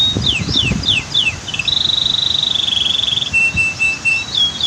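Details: Singing canary near a waterfall and dam: several descending slurred notes lead into a long, fast, vibrating trill, followed by a flat pure whistle and short rising notes, with faint water noise below.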